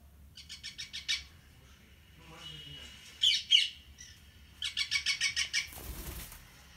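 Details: Pet rose-ringed parakeet (Indian ringneck) giving harsh, buzzy screeches in quick runs of about five notes a second: an opening burst, a few softer squeaks, then a longer run ending in a broad noisy rasp over a faint low hum.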